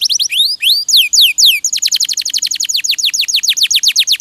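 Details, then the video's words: Canary singing as a training recording for cagebirds, with rising and falling whistled sweeps followed by a fast run of steeply descending notes repeated about four times a second. "MASTERAN KENARI RAJIN BUNYI"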